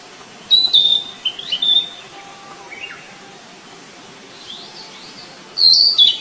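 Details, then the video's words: A flycatcher in the wild sings a high, thin whistle followed by short sliding notes. After a quieter gap with faint distant chirps, a second bright whistled phrase comes, over constant low hiss. "Burung sikatan di alam liar"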